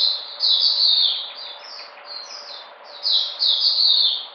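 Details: White-eye recovering its energy, 13 February 2020: short bursts of high, sweet warbling, with a brief quieter lull in between before the song resumes.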